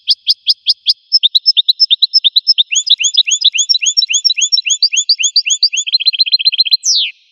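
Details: Wild American goldfinch song, a long rambling series of high, slurred twittering notes that quicken and vary in pitch, closing with a sharp buzzy note sweeping downward. Background silent.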